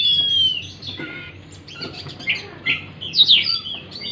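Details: Song of an Oriental magpie-robin, used as a lure to restart a stressed bird that has gone quiet. It opens with a long clear whistle, followed by scratchy chattering notes and a burst of sharp chirps.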